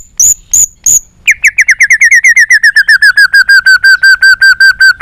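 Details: White-rumped shama singing to stimulate other shamas; three high piercing notes, then a long, fast, even series of identical clear chirps, nearly three per second, gently falling in pitch.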